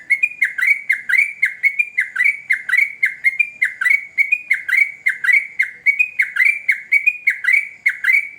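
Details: Yellow-vented bulbul singing vigorously in a long rapid rolling song used to lure other bulbuls: bubbly, slurred notes with falling hooks, pouring out in a steady stream of about one per second with no pause.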